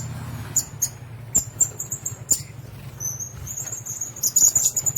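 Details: High, thin whistled squeaks from blue-crowned hanging parrots in a cage, first spaced singly, then run together in quick sequences, over a low steady hum and occasional clicks.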